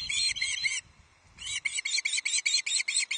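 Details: Hungry juvenile osprey at a Loch Arkaig nest, 31 July 2023, shrieking as an adult delivers the day's first fish; a rapid run of harsh shrieks breaks off briefly, then resumes at the same fast, even pace.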